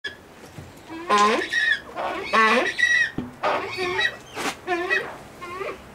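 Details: Brown eared pheasant (Crossoptilon mantchuricum) at a pheasant breeding nursery gives loud, harsh, nasal calls in bursts about once a second, rising then falling in pitch, with faint background noise.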